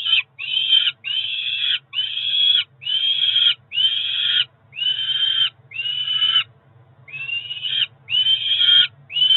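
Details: Peregrine falcon chicks near four weeks old at a Cromer nest, June 2023, calling around feeding time: a regular run of high, slightly rising, whining cries about half a second each, roughly two per second, one short pause.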